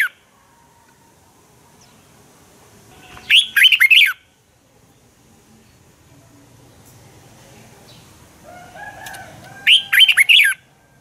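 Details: Morning fighting song of a Red-whiskered bulbul, used to train birds: two short bursts of swooping whistled notes about six seconds apart over low background rustling and faint chirps.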